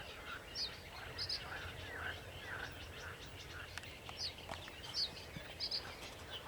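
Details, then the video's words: Sedge warbler singing on 28 June 2021, with another bird also singing: sharp, high chirps roughly every second over a soft, continuous chattering warble, with faint clicks in the background. "Śpiew rokitniczki"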